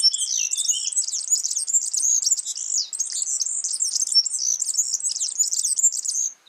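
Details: Yellow-fronted canary singing steadily in the wild, an unbroken, rapid, high-pitched twittering warble of jumbled chirps and short trills lasting over six seconds.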